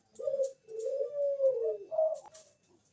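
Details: Zebra dove of the Bangkok type, kept bird, singing as a lure for other doves: low drawn-out cooing notes run together, ending in a brighter rising note, with faint clicking noises above.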